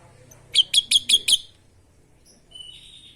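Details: Orange-headed thrush in loud, vigorous song: a rapid run of five sharp, bright chirped notes about every fifth of a second, followed after a pause by a faint high whistled phrase.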